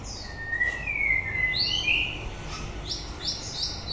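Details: End-of-breeding-season white-rumped shama: a clear whistled phrase gliding down, then quick bright rising and falling notes and a short high flourish, close and clean above faint low noise.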